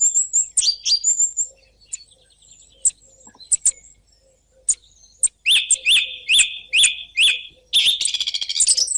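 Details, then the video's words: Song thrush song made of bright, high chirps and whistles. A clipped phrase is repeated four times in a row, then a rapid trill-like phrase follows, all in the sharp, repetitive style of the singer. "صوت السمنة المغردة"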